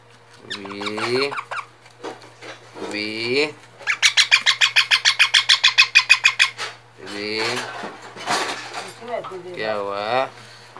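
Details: Parrot talking indoors: several short harmonic speech-like phrases with wavering pitch, then a long fast run of about twenty loud rhythmic squawks, followed by more chattering phrases; a steady low hum underneath.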